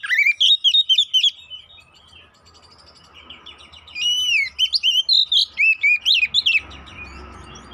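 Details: Oriental magpie-robin lure song to provoke fighting; a burst of sharp chattering whistles, a quieter stretch with faint warbling, then another rapid series of bright, slurred notes.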